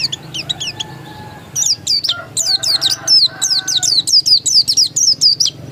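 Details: Oriental white-eye, described as a pure original bird, singing a long rapid series of high, sharply descending twittered notes, building into a fast continuous chatter after a softer opening, with faint background hum.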